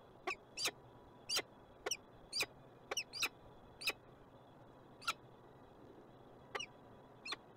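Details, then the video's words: Calls of a peregrine falcon in Montreal, Canada: brief scratchy high notes, sometimes doubled, spaced irregularly from a third of a second to over a second apart, fairly faint over continuous background noise. "Sokół wędrowny. MONTREAL Kanada"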